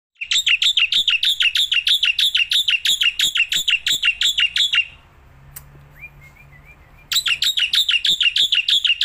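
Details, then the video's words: Black-winged myna, a kept bird singing outdoors and while held in the hand: loud, harsh chattering notes repeated about three times a second, a pause with faint background noise, then the rapid loud phrases resume. "Burung Jalak Putih Gacorrrnya Edan gak ketolong"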